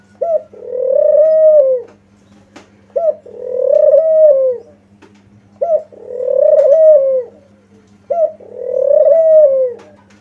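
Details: Spotted dove lure call meant to draw replies from other doves: four phrases, each a short rising note followed by a long, steady, slightly falling mellow coo, repeating about every two and a half seconds, with a faint steady hum beneath.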